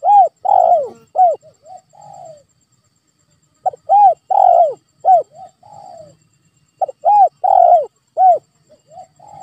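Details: Spotted dove call, played to provoke a quiet pet dove into calling: low, hollow coos in phrases of several notes, repeated about every three seconds with soft trailing coos between phrases.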